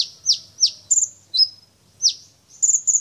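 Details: Champion brown-throated sunbird delivering its repertoire of fill-in phrases: several rapid high chirps that sweep sharply downward, then a level piping whistle and a stuttering triple note, followed by more falling chirps.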